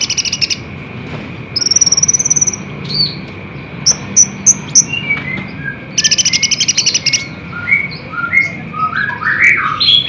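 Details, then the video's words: Sunbird song used as a lure to make caged birds respond: high buzzy trills, thin whistled notes and quick descending chirps in bursts, a steady thin tone running underneath. "SUARA KOLIBRI NINJA GACOR FULL TEMBAKAN DIJAMIN BURUNG MANAPUN PASTI LANGSUNG RESPON NGOTOT"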